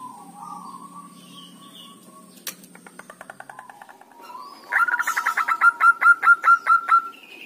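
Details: Local Javanese zebra dove (perkutut) giving dhuduk and kerot calls, used as a lure to make other doves call. A soft steady whistle, then a fast series of about twelve staccato tut notes, rising in loudness, evenly spaced.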